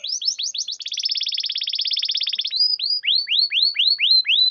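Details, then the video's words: Canary song used as a lure to prompt silent or reluctant canaries to sing: a fast trill of rapid notes, then a steady buzzy roll, ending in a series of rising-falling whistled sweeps about twice a second. "Pancingan kenari macet malas bunyi bisu pasti langsung nyaut"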